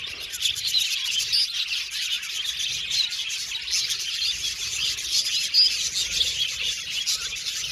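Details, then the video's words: Continuous flock chatter from budgies: sharp, thin chirps and warbling notes overlapping in a fast, unbroken babble, with one brief clearer whistle standing out. "Budgies Chirping Sound"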